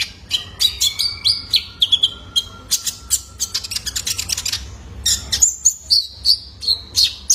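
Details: Juvenile male Van Hasselt's sunbird, used to stimulate caged birds: a rapid chattering series of high clicks and chirps, then a string of descending thin whistled notes.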